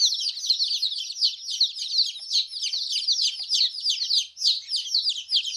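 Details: Chicks peeping in a busy flock, many thin high chirps overlapping without pause, loudness swelling and dipping irregularly; nothing else stands out.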